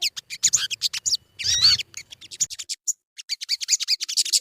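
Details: Lure recording of a sogon to set birds singing: quick series of sharp, very high chips and short trills, one louder tangled burst in the middle, with brief gaps.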